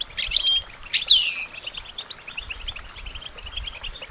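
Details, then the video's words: European goldfinch song used for songbird training: two loud tinkling, downward-sweeping phrases open the passage, then a quieter stream of rapid chirps continues beneath. "Goldfinch Training With Stimulating Support for Songbirds"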